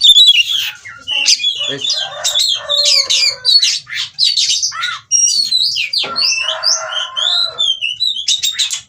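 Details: Kacer, the oriental magpie-robin, in mating condition and displaying, bred in Cirebon: long, varied outpouring of piercing whistles, buzzy rasps and clicking notes. A short pause splits it near the middle before high slurred whistles resume.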